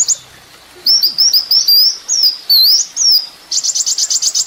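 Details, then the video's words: Sunbird (kolibri ninja) song from a master recording for training songbirds: a run of quick high rising whistled notes, then a fast stuttering trill of repeated chips, very high pitched and clear. "masteran mewah full isian kolibri ninja bikin burung emosi"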